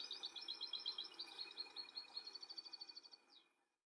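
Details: Wild European goldfinch, building a nest and feeding young: rapid, continuous high tinkling twitter of repeated liquid notes for over three seconds, ending with a quick rising-falling note before silence.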